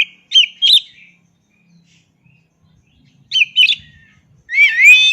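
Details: Paired sharp whistled notes from an oriental magpie-robin, repeated after a silent pause, then a loud rising, rolling warble, all crisp over a quiet background.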